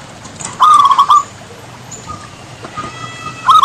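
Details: Perkutut, the Javan zebra dove, delivers one brief trill of rapid soft coos. Faint drawn-out notes follow, then another phrase begins at the close.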